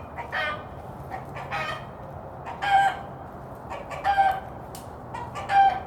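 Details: Rooster sounding a warning when he sees a hawk or danger, telling the hens to hide; repeated harsh clucks punctuated by three loud strained squawks about every one and a half seconds.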